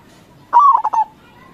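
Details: Local Indonesian zebra dove singing actively in crossing style: one low cooing phrase that opens with a rising note, glides down, then breaks into three quick clipped coos, lasting about half a second against a quiet background.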